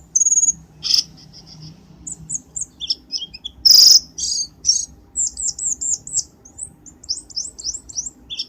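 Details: Lure sound of a black-winged starling for trapping: a thin whistle, two loud explosive whistled bursts, then a chattering series of quick squeaky notes.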